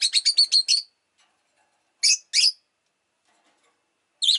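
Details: Rosy-faced lovebird chirping: a fast string of five high chirps, then a pair of harsher calls and one more after a pause.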